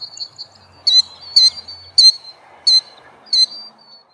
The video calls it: Killdeer Sound